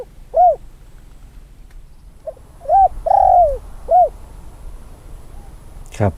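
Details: Field-training decoy Spotted Dove, almost two years old and recovered from illness, repeats its coo: one arched coo, a pause, then a quick note, two rounded coos, a long coo and a final arch, with a sharp click at the end.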